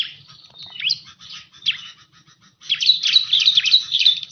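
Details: Bar-winged prinia lure call used for trapping birds: high, rapid chirping notes with quick up-and-down sweeps, in bursts separated by short pauses, a louder run near the end.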